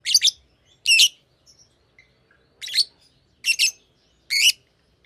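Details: Fischer's lovebird giving shrill, high-pitched chirps in short doubled bursts, five clusters spaced roughly a second apart with silence between them, no other sounds.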